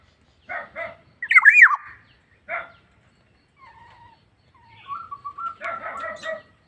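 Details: Black-naped oriole in active, full song: harsh, nasal broadband notes in short bursts, a loud twisting whistled phrase near the start, a thin steady whistle mid-clip, then a dense chattering run of nasal notes.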